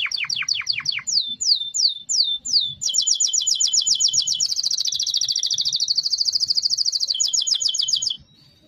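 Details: Singing canary: quick falling chips, then several slower descending whistles, breaking into a long, loud, rapid rolling trill that rises slightly in pitch before ending abruptly.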